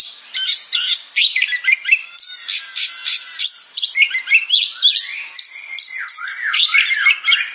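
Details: Oriental magpie-robin song as a dense, overlapping jumble of buzzy chatter and sharp notes, becoming clearer sweeping whistles that slide down and up toward the end.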